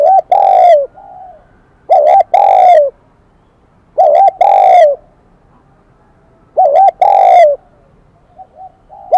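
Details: Wild-caught spotted dove singing in the bell-like Kim Đồng style. Three strong, evenly spaced phrases, each a short two-part note then a long coo sliding down at its end, with light low coos in the gaps.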